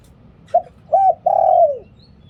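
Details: Liu tan style song of a spotted dove, a decoy recording. One phrase of three mellow coos: a brief note, a rounded rising-falling note, and a drawn-out note that droops at its close. The background is otherwise quiet.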